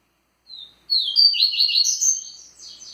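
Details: Tui-tui song of a double-collared seedeater, full of vigor: one short high note, a pause, then a loud rapid stream of sharp twittering and slurred whistles that fades at the end.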